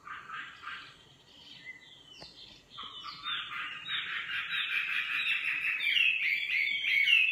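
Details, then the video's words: A singing nightingale moves from soft, low warbled notes into a strong, buzzy, rattling trill that swells louder toward the close. "Singing nightingale. amazing bird song"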